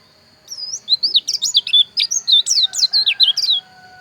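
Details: White-eye of the dakun bali type from Pupuan, Bali, singing a quick burst of high, slurred, up-and-down chirps packed closely together for about three seconds over a faint steady high tone.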